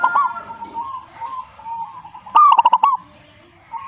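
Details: Zebra dove answering with one burst of rapid rolling coo notes, heard after and over a continuous warbling call from another bird.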